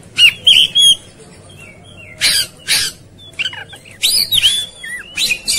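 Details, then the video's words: Agitated Oriental magpie-robin trading loud harsh buzzy bursts with sweet sliding whistles and warbled twists, in close-packed phrases of under a second. "Segala Kacer Ikut Ngamuk Tarung"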